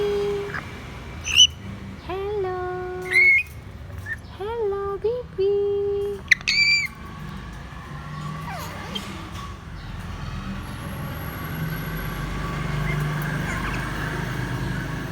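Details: A pet grey parrot named Bibi, prompted to say hello, speaks a few clipped, speech-like words and whistles in the first seven seconds with rising and falling pitch, followed by room noise and faint human sounds.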